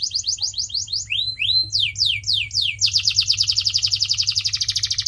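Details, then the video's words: Training song from a canary for pet birds: quick repeated falling whistles, a few rising slurred notes, then a long dense rapid trill held to the end over a low steady hum. "CANARY SINGING SOUND"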